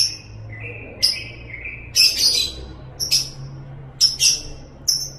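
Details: Lovebird chattering call (ngekek): crisp high chirps alternate with lower drawn-out rolling notes and a few harsher scratchy bursts. The calls recur irregularly at about one to two second intervals over faint low hum.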